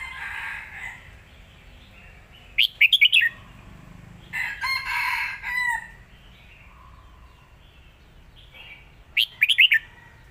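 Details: Red-whiskered bulbul kept in a cage, performing the Lak Wai master song style. Two short, rapid whistled phrases about six seconds apart, with a louder harsh, drawn-out sound from another animal in between.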